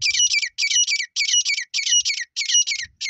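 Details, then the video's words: Desi teetar, the grey francolin, in Sindh, its call used as a lure for partridge hunting: shrill, grating double-note phrases repeated rapidly and steadily, roughly twice per second, with faint low rumbles underneath. "desi teetar ki awaaz"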